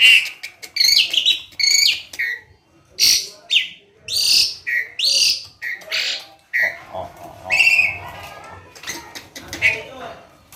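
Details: Tame, actively singing Asian pied starling delivering a long run of loud, rasping and whistled phrases in quick bursts, some notes sliding, with only brief pauses between them.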